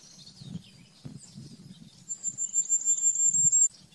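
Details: A common firecrest in Bogor gives a very high, thin, rapid string of even notes lasting about a second and a half, over a low background rumble.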